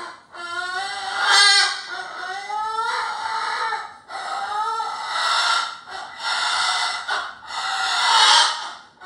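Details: A pet cockatoo 'roaring' on cue: an opening rising, wavering screech followed by a string of hoarse, breathy squawks that swell and fade.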